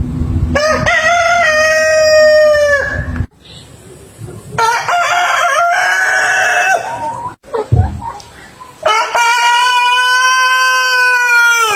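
A rooster gives two full crows, each a loud, harsh cock-a-doodle-doo ending in a long drawn-out note, with rougher clucking and squawking between them.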